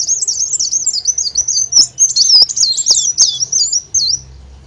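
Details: Olive-backed sunbird singing one continuous run of high, sweet, twisting notes that loop up and down quickly for about four seconds, then stops. Used as a lure sound to draw birds in.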